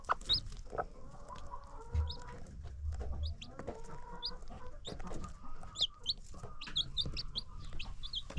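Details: Baby chicks and free-range hens on a farm, with high chick peeps scattered throughout, sustained hen clucking and crooning, and low thumps and rumble underneath.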